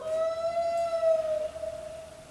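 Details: A Common Loon's wail, the call loons use to find each other, often heard at night: one long, mournful, pure tone that rises slightly, holds about a second and a half, then fades.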